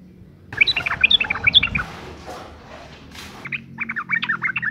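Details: Female yellow-vented bulbul in breeding condition calling to males: a lively run of bubbly chirps with some rustling underneath, a lull, then another quick string of chirping notes toward the end.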